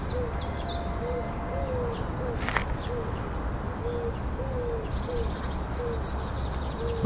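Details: Collared dove at sunrise in late April in an urban beach park with marshy oxbow pools, cooing in soft, low hollow notes about one every two-thirds of a second; small birds chirp high above over a steady low rumble.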